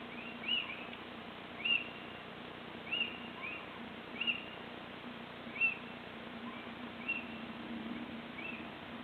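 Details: Little owl calling on 26 March 2014, mostly out of sight: a series of short, sharp, high arched notes, one roughly every second or so, about seven in nine seconds, over a steady low background hum.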